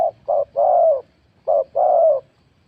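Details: Spotted dove cooing in competition: two phrases of short low notes ending in a longer, slightly falling coo, separated by a clear pause.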